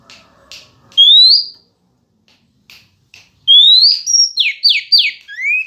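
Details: Female Oriental magpie-robin singing to provoke males. A few soft clicks and a rising whistle, then a fuller phrase of rising whistles, a high note, three descending slurs and a lower upslur.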